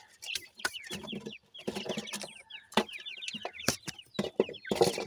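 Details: Newly hatched francolin (teetar) chicks while feeding: steady streams of thin, high peeps that slide downward, often in quick runs of two to four, over soft low clucking and frequent sharp tapping clicks.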